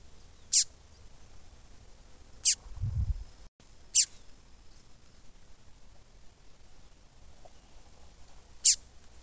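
A female double-collared seedeater gives four thin, high, sharply falling call notes at irregular intervals, with a brief low thump between them.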